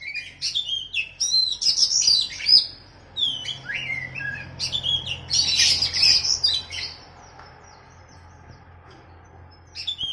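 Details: Oriental magpie-robin (kacer) versus sooty-headed bulbul (kutilang), a training song for captive birds. Rich, fast phrases of whistles and harsh squawky notes, then a quieter stretch with low hum and a final chirp.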